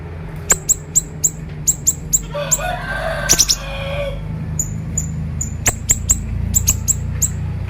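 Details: Siri-siri bird singing energetically in the 'konslet' style, a training recording: sharp, very high, clipped notes repeated rapidly in bursts, with a short stretch of broader, noisier sound in the middle.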